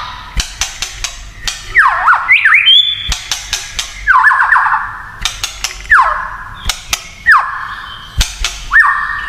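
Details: White-rumped shama song in the kretekan style said to excite other shamas: loud downward-sliding whistles, spaced about two seconds apart, between sharp clicking sounds.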